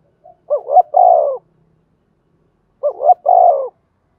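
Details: A spotted dove gives thổ đồng style coos to stir newly caught doves into cooing. Two deep phrases about 2.3 seconds apart, each with a pair of quick rising notes and a long, sliding-down coo.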